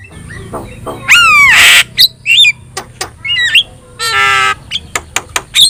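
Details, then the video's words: Javan myna, yellow-eyed, singing to train other birds: a loud falling whistle merging into a harsh squawk, scattered clicks, then another long rasping squawk and sharp notes. "JALAK KEBO GACOR MATA KUNING | Untuk Masteran Kicau Jalak"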